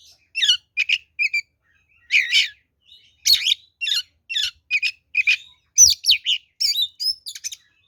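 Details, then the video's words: Oriental magpie-robin delivering a fighting lure song: a steady run of loud, clipped, buzzy phrases and whistled notes, repeated in quick succession with short silences between. "SUARA BURUNG kacer gacor NGEPLONG TARUNG ini paling AMPUH buat PANCINGAN kacer NYAUT EMOSI"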